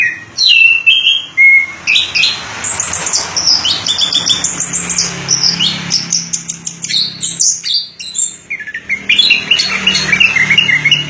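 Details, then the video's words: Orange-headed thrush, locally anis kembang, from Indonesia, in nearly continuous warbling song of high whistles and chattering notes, with a faint low hum in the background. "Suara Burung Anis Kembang Durasian"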